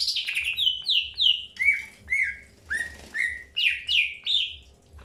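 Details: Greater green leafbird in early pairing, repeating clear downward-slurred whistles about three times a second, the pitch dropping mid-series and climbing again, with a soft rustle between notes.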